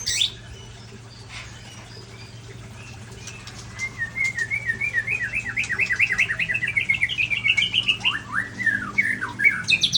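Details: Song of a large-bodied white-rumped shama from Ujong Pancu, Aceh: after a quiet opening, a fast rising series of repeated zigzag whistled notes climbs in pitch, then breaks into several loud downslurred whistles, against a faint hum.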